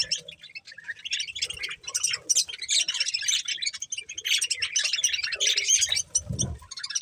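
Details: Budgerigars enjoying corn fill the air with nonstop scratchy chatter, squawks and chirps; a low thud is heard near the end.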